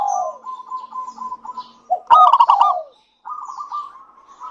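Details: Local zebra dove, a lively singer, cooing to prompt other doves into song: soft wavering coos, then a loud burst of rapid stuttering staccato notes, a brief pause, and gentle trilled cooing resuming.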